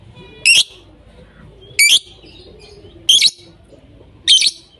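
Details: Lovebirds voicing continuously, giving loud, harsh, piercing single chirps spaced about 1.3 seconds apart over faint background noise.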